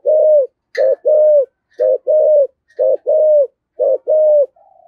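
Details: Spotted dove with 'giọng thổ' voice giving hurried 'thúc gù' coos: four paired phrases, each a clipped note then a sustained mellow coo, evenly spaced, with a faint higher chirp now and then.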